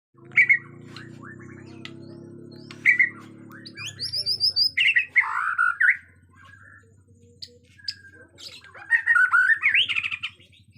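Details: White-rumped shama from Borneo, described as agitated, with natural forest sound: scattered loud whistled and chattering bursts near the start and middle, then a rich warbling phrase at the end, over a low steady hum.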